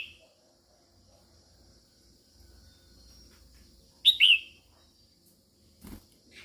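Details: Female red-whiskered bulbul singing to stimulate males: after long quiet, one loud, bright two-part whistled phrase, rising then falling, at about four seconds, with a faint low hum beneath.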